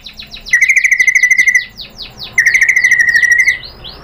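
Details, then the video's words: White-rumped shama giving two fast rattling trills of about a second each, rapid evenly pulsed notes, played as provocation to make another shama respond and sing. "pancingan MURAI BATU bikin EMOSI NYAUT jadi GACOR"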